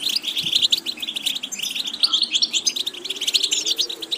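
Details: European goldfinch twittering song used to tutor goldfinches: rapid, even chatter of short high chirps and tinkling notes without pauses, over a faint low drone.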